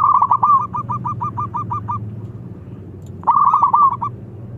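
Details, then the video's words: Zebra dove of local stock, played to provoke rival birds. A quick series of about a dozen short, bubbling coos, then silence, then another fast burst of rolling notes over low rumbling noise. "Masteran Pancingan Perkutut Lokal Super Gacor Bikin Lawan Nyaut Dan Langsung Emosi"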